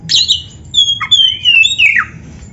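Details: Oriental magpie-robin singing to train caged birds: a rough opening note, then smooth high whistles sliding gradually lower, closing with a sharp downward sweep.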